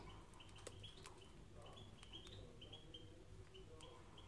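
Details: Canary song meant for training canaries: a quiet, steady series of short, clear whistled notes at an even pitch, repeated several times a second, over a low rumbling background.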